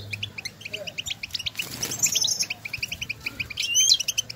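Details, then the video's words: Flock-like chatter of European goldfinches recorded in nature, calling to each other as stimulating sounds for singing; steady stream of high, bell-like twitters with a brief rising, buzzy flourish near the end. "افضل بتبتة لتحفيز طائر الحسون"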